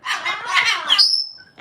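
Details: A rescued pet female cockatoo, described as very mad at the moment, gives a harsh, raspy screech lasting about a second that ends in a thin high whistle.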